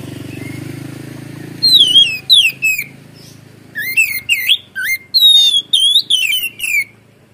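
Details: A white-rumped shama (kacer) sings in the gacor ngeplong style, full of isian phrases. After a low hum, sharp high whistles begin, with fast sweeping slurs and chattery notes in bursts of varied phrases.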